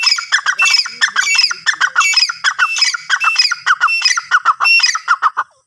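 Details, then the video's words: Francolin (teetar) giving a sustained run of loud, harsh, squawking notes, each stacked with high ringing overtones, repeated quickly and steadily throughout with no other sounds evident. "Teetar ki awaaz | teetar sound"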